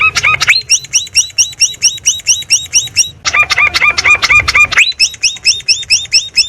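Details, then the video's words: Long-tailed shrike recorded 16 May 2022 in a house yard and rice field on a Samsung M30 phone, singing a richly filled song: rapid repeated ringing, upswept notes about two per second, in dense continuous bursts with a short break midway. "Masteran Burung Cendet Full Isian Mewah"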